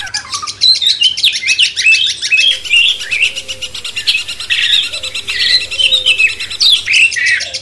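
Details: A cucak cungkok bulbul sings a dense, rapid stream of high chirps, twitters and short whistled phrases with hardly a pause, over a faint low hum.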